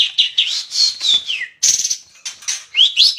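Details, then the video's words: Bulbul (cucak cungkok) singing full song material: varied clear whistled phrases with sliding descending and rising notes, broken by short gaps and a harsher burst, over a clean quiet background. "Burung cucak cungkok full materi - kicauan burung"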